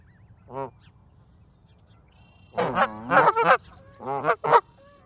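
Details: Canada goose: one short honk, a pause, then a run of loud braying honks in quick succession and a final pair of sharp calls, clear and near.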